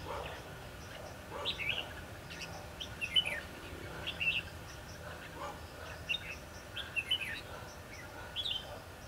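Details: Red-whiskered bulbul heard during a decoy trapping session on 22 December 2015, singing fighting song to lure wild birds; short bright chirpy phrases recur every second or two over a steady background hiss.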